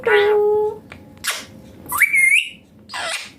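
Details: Indian green ringneck parrot indoors giving a steady voice-like tone, a harsh squawk, then a whistled rising note that levels off, followed by a noisy burst.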